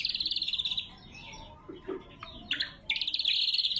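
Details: A lesser green leafbird's lure and training song: a rapid, high buzzing trill, a stretch of quieter scattered chirps, then another loud trill, all clear and sharp.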